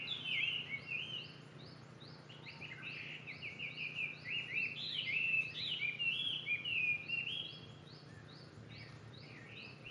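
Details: Bird calls of unknown species: busy, overlapping high chirped notes and short slurs repeated irregularly, with fainter repeated upper notes behind and a steady low hum throughout.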